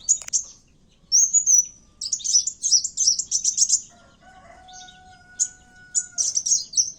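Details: Kowul bird fighting, recorded as a lure: a clear rising whistle followed by rapid high twittering runs, with a faint steady lower tone in the background partway through.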